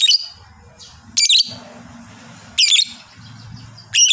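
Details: Fighter lovebird giving loud, harsh, very high chattering bursts. Short squeaky outbursts come roughly every 1.4 seconds over a low rumbling background.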